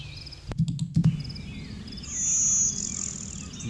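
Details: Blue-winged Warbler gives a thin, high, insect-like buzz in the background of an automated recorder clip, largely drowned by a passing jet's low rumble, with a few sharp knocks.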